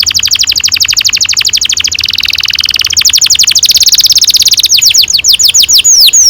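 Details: Canary delivering a long rolling song, played to get young canaries singing: continuous rapid pulsed rolls for several seconds, slowing into separate loud downslurred whistles at the end.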